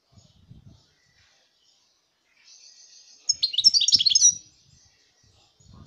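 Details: European goldfinch, 2019: a thin high buzzy tone gives way to one short burst of quick tinkling twitters lasting about a second, with faint low knocking sounds in the background.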